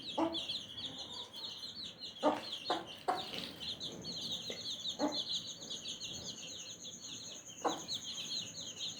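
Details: Mother hen calling her baby chicks to eat strawberry: short, low clucks, a cluster around two to three seconds and single ones later, over continuous high, thin peeping from the chicks.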